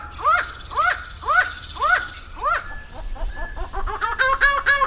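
Laughing Falcon giving a laugh-like series: loud, nasal, arched notes about twice a second, then quickening into a rapid, rising chatter.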